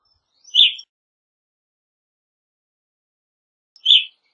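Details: Evening grosbeak giving two loud, brief, burry chirps about three seconds apart, each high and slightly falling, against silence.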